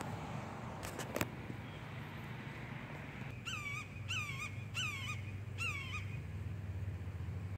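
A red-shouldered hawk gives four loud, slurred kee-ah screams, each dropping in pitch, about one per second, over a steady low rumble and a few early clicks.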